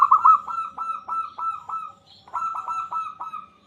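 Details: Local zebra dove in full song, used to prompt other zebra doves to sing: fast bursts of short, rolling cooing notes with a gap midway, then another quick burst.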